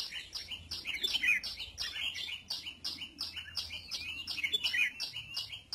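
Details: A red-whiskered bulbul sunbathing chatters continuously in bright, scratchy chirps and short warbled phrases, about one burst every half second, with a faint low hum underneath.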